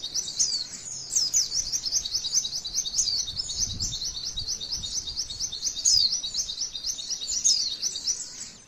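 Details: Long continuous high trill from a female white-eye, described as masteran song that spurs other white-eyes to respond; rapid buzzy notes repeated without break, with scattered brighter whistled slurs.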